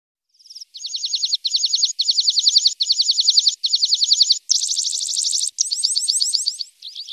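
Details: Horsfield's bush lark song used as training material for young, untrained larks: a string of rapid, high trilled phrases, each a burst of fast repeated notes separated by brief pauses, the later phrases brighter and denser.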